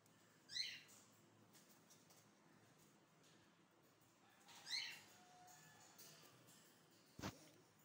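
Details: A pet Indian ringneck parakeet calls to others while playing, giving two loud, harsh screeching squawks about four seconds apart, with a sharp click near the end over faint room hum.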